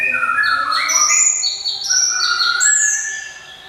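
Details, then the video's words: Java sparrow singing a bright, ringing song of rapid, overlapping high whistles, each short note stepping to a different pitch and tumbling together, fading slightly at the end. "SI CABE RAWIT GLATIK,SUARA CEMELENTING TIADA TANDINGNYA"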